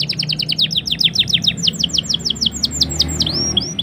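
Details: Black-throated canary in full gacor song meant to trigger canaries into singing: quick repeated down-slurred notes forming a rolling trill that slows near the end into longer, looping sweeps.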